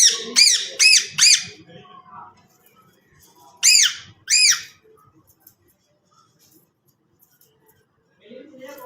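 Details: Loud harsh arched squawks from a green parrot, three in a rapid burst, a pause, then two more, followed by near silence with a faint murmur at the end.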